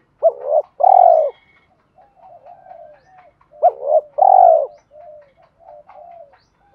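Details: Spotted dove decoy cooing to lure wild birds, two deep phrases of a short rising note and a long full coo, with soft wavering low murmurs in the pauses.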